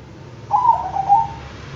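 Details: Bangkok-type zebra dove singing a brief perkutut phrase of gentle, fluty coos in two close pulses, the second slightly trailing off, with a low steady hum behind.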